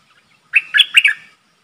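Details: Streak-eared bulbul kept as a decoy for luring a wild flock, giving one lively phrase of bubbly chirps that slide and warble, then stop, against silence.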